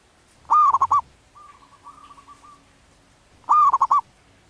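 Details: Wild local zebra dove in breeding condition giving its manggung cooing song: two loud phrases about three seconds apart, each a rising drawn-out note breaking into three quick rolling coos, with softer, thinner cooing between them.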